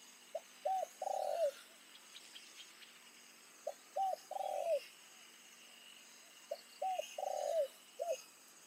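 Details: Captive decoy spotted dove calling in late afternoon by a rice field to lure wild doves; three cooing phrases, each two short clipped notes then a longer rolling coo ending in a drop, about three seconds apart, over faint insect chirps.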